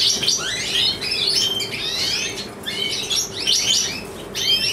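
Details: Satiné male European goldfinch, large type, born in 2013 and kept for breeding, carrier of white head; it delivers bursts of bright tinkling twitters and quick rising and falling slurs, with short pauses between phrases and a constant faint hum.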